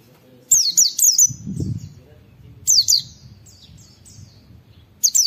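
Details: Oriental white-eye in a training recording of rapid "wit wit" calls: three sharp, high, downslurred whistled notes, then a pair, then a single note. Brief faint low murmur between bursts.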